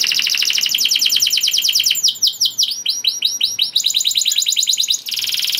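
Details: Canary song meant to bring other canaries into breeding condition: long series of fast, repeated downslurred chips forming rolling trills, changing speed and pitch between phrases, high and bright throughout.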